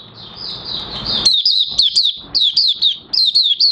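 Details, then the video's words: On 30 August 2022 an Oriental white-eye with almost complete new white feathers starts its song: a high thin buzzy note leading into repeated sharp downslurred chirps in quick short groups. "Mata Puteh Raja Buka Sing"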